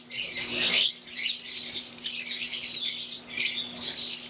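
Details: Wild-type green Fischer's lovebirds kept in an aviary alongside Euwing birds, giving shrill squeaky chirps and buzzy squawks that swell and fade in waves, a soft mains-like hum in the background.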